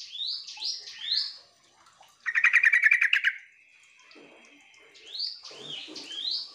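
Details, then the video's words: Sooty-headed bulbul call played to draw answers from other birds. Sharp rising whistles give way to a dense burst of rapid chattering notes about one second long, then more upslurred whistles with scratchy sounds under them. "trucuk memanggil teman"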